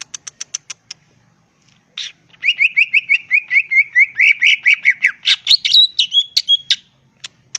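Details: Greater green leafbird wild song for provoking rivals to answer: several sharp high ticks, a pause, then a long fast series of repeated slurred whistles rising into varied high phrases.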